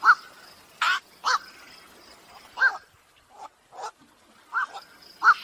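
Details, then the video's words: Night heron trapping lure from the 2023 night-bird season: loud, gruff single barks and short pairs at uneven gaps, some fainter notes between them. "ÂM THANH BẪY VẠC"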